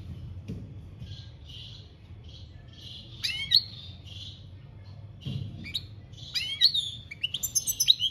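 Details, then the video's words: European goldfinch singing in the campero style, recorded in 2021: scattered soft high notes at first, then a livelier burst of sharp, bright twittering phrases near the end, over a low background rumble. "Goldfinch singing - Jilguero Cantando Campero - Chant Chardonneret"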